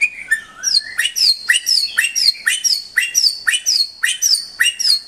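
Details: White-rumped shama song, used to tutor caged pet birds: a fast, regular series of sharp, high whistled phrases, each a bright upslurred note with a ringing upper tone, repeated about twice per second.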